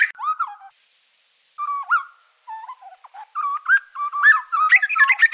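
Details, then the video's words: Grey butcherbird with fluty whistled phrases and upturned notes, spaced by brief silences, building into a denser sequence of whistles mixed with scratchier, higher chatter. "Grey butcherbird call"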